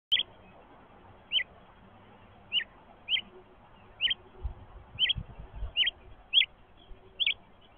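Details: House finch; begging call; hungry nestling begging for food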